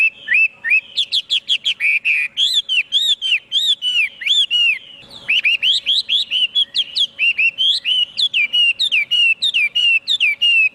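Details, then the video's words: Chinese hwamei in rich, fast song: rapid strings of loud slurred whistles and sharp chirped notes poured out almost without pause, a brief break near the middle, then another dense, varied burst. "tiếng chim hoạ mi hót cực hay"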